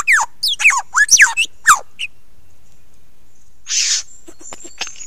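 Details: Lyrebird singing close up on Ben Ricketts, 16 November 2022, 9 AM: a string of loud, sharply descending whistled sweeps, a short gap, then a noisy burst and thin high whistles.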